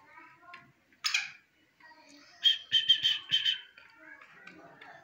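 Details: Black francolin (Francolinus francolinus) call: a harsh, rasping burst, then a quick run of four or five loud grating notes, with softer calls from other birds behind.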